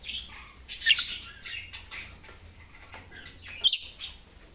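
A lovebird gives two sharp, high chirping bursts about three seconds apart, with softer scratchy twitters between them.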